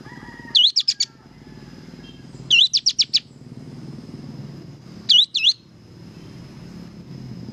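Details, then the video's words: Kapas tembak singing vigorously on a training recording for cage birds: three short phrases of looping, sharply whistled high notes, about two seconds apart, over a low background rumble. "suara burung kapas tembak gacor"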